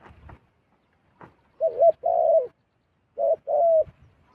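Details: Wild zebra dove coming down to a decoy: faint clicks and rustles, then two paired coo phrases, each a short wavering note and a sustained level coo, about one and a half seconds apart.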